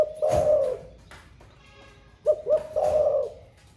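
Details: Thổ pha style song from a caged spotted dove newly in voice and cooing all day: a long husky coo, a pause with faint tones, then two short notes leading into another drawn-out coo.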